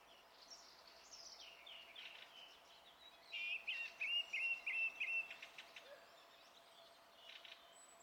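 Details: Song thrush singing on 27 April 2016, with quiet scratchy notes leading into one note repeated about six times in a fast, even series, then fading twitters.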